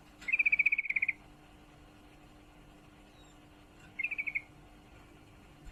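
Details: Sooty-headed bulbul female in breeding condition calling to a male, giving a long rapid run of about a dozen sharp chattered notes, then after a pause a shorter burst of about six, over a quiet background.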